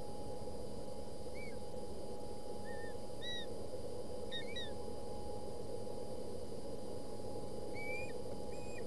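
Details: Ospreys at a nest camera in Boulder County on 20 August 2017, chicks fighting over a fish after a delivery by the father: short thin whistled chirps, some slurred upward, scattered and faint over a constant electrical hum and rumbling noise.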